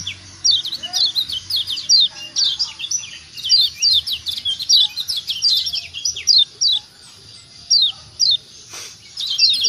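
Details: Yellow white-eye of Lombok, kecial kuning, in a lure recording to make other birds call: rapid high twittering chirps run almost nonstop, thinning to spaced notes near the end, with a brief knock.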